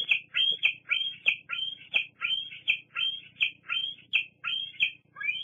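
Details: Young bald eagle squeeing persistently beside its parent at the Fraser Point nest: an almost unbroken chain of high, shrill, downslurred squeals, nearly three per second.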